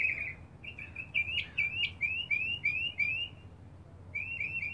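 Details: Back-yard mockingbird singing in hope of a mate: a run of quick rising whistled notes repeated in a series, followed by a brief pause and a new burst of repeated notes.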